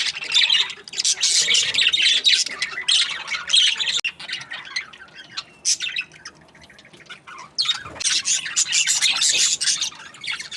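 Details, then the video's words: Budgerigars in breeding season chatter together in a dense, scratchy warble of high chirps and squawks, coming in bursts broken by brief lulls; several birds seem to be calling at once. "Happy budgies chirping sounds | breeding season"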